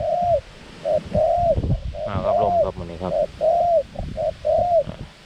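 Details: Decoy dove used to lure wild doves, giving short arched cooing notes in bursts of two or three, with pauses between them. A man's voice talks over the middle of the recording.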